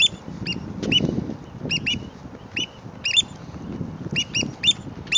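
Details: At Heron's Head Park, San Francisco, Black Oystercatchers scold a person with loud, piercing whistled 'wheep' notes, single and doubled, in quick irregular bursts over a low rumble of surf.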